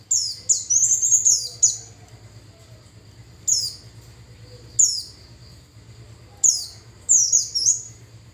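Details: Japanese white-eye song used as a lure to attract wild white-eyes: bursts of very high, thin, rapid twittering phrases, each lasting about a second, separated by pauses of one to two seconds, over a faint low hum.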